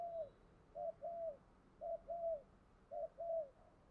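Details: Spotted dove cooing in a decoy setup for luring wild doves, fairly distant: three evenly spaced pairs, each a short note followed by a longer arched coo, against a steady noisy background.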